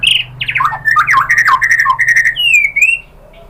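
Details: White-rumped shama song to provoke other birds to sing: harsh chattering and slurred whistles over a low steady hum, ending in a clear rising-then-falling whistle.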